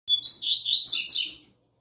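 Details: Young captive double-collared seedeater, a novice bird whose song is in the "tui tui zel zel" style, giving one high warbled phrase of about one and a half seconds. Sliding notes climb into buzzier, rising trills near the end, recorded indoors.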